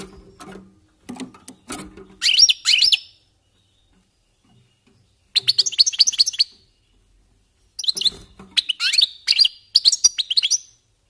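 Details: European goldfinches warming up their song: bursts of bright, liquid twittering and tinkling notes in short runs separated by pauses, with soft low knocks early on.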